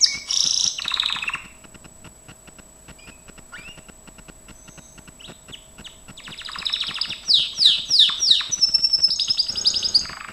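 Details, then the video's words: Gloster canary training song: a short burst of high rolling notes and a lower trill, a near-silent pause with faint chips, then a rich run of swooping high notes and a fast rattle. "GLOSTER CANARY SINGING"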